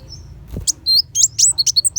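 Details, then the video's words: Brief burst of sunbird song in the 'tembakan besetan' style, meant for teaching white-rumped shama: a soft thud, then several piercing, high, quickly repeated chirps and short whistles. "Pancingan Kolibri Wulung Full Tembakan Besetan Pedas"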